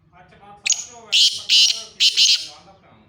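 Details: Black francolin in Khushab calling loudly: a short high note and three harsh, grating bursts, while a man talks quietly underneath.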